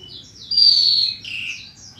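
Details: Short burst of Horsfield's bushlark training song from 2022: a single strong, slightly falling whistle followed by a softer slurred note and faint twitters, over low steady hum.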